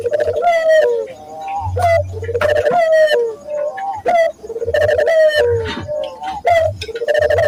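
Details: Repeated cooing of a local Barbary dove, played to train doves to sing: alternating short upward notes and drawn-out pulsed coos, with faint low thumps beneath, steady rhythm throughout.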